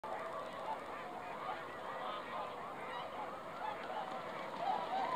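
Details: Swans on a foggy lake on December 20, 2016, a flock giving a dense, overlapping chorus of nasal honking calls, with a few clearer bugling notes rising near the end over a steady murmur.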